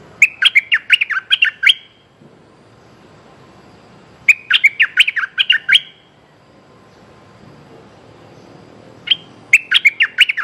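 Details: Streak-eared bulbul calling for its mate, repeating a rapid chattering phrase of about ten crisp notes three times, roughly every four seconds, with quiet gaps between.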